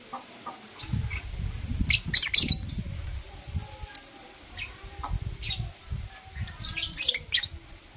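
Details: Blue Opaline and Parblue Euwing Opaline lovebirds chirping in the morning: bursts of piercing high chirps over a steady low rumble of background noise.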